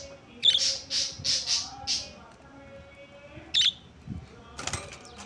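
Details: Rainbow budgerigars chattering in short, bright, high chirps and scratchy squawks in quick bursts.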